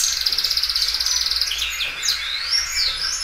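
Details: Belgian canary, a well-cared-for loud singer stretching its song repeatedly; a fast, even trill of rapid pulses runs for over a second, then gives way to sweeping whistled notes rising and falling.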